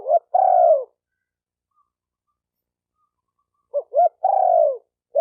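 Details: Spotted dove cooing, used to stimulate decoy birds, males and females: a short stuttered note, then a long, low, falling rolled coo, repeated after a pause of about three seconds, over a silent background.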